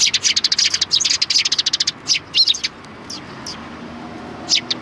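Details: Sparrows greet a person at the back gate of a Tenmangu shrine on 25 February 2020. A fast, excited string of loud, high chirps, about three per second, breaks off into a few isolated notes.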